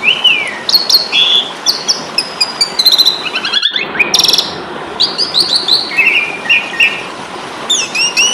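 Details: Asian pied starling in fighting song, a training recording for cagebirds: slurred whistles between mid and high pitch, rising and falling, mixed with harsh rasping bursts around the middle, phrases coming in quick succession over faint background hiss.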